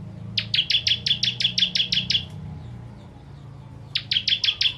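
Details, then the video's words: Bar-winged prinia (ciblek kristal), a contest bird, used to train others: a rapid series of about eleven sharp high chips, a pause of over a second, then the run starts again. "Ciblek Kristal Tembakan Pedas Cocok Untuk Masteran Burung"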